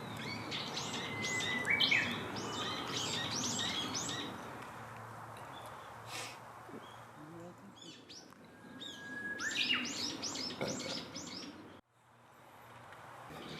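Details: Black-faced bunting feeding eagerly in the wild, 2 April 2019. Two bursts of rapid, evenly spaced arched chirps are each led by a thin whistle and separated by quieter scattered notes. Steady outdoor hiss continues throughout, with a brief drop near the end.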